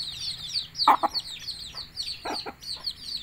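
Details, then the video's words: A hen calls her chicks to feed with paired low clucks, two quick pairs about a second and a half apart, against continuous high-pitched cheeping of the young chicks. "Bahasa Ayam Memanggil Anaknya Makan"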